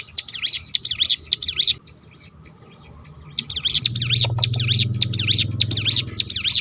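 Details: Hill prinia (ciblek gunung) in its 'roll tembakan' style, used to provoke other birds into singing: rapid high V-shaped notes rattled in quick runs, a pause near the middle, then another long run over low rumbling background.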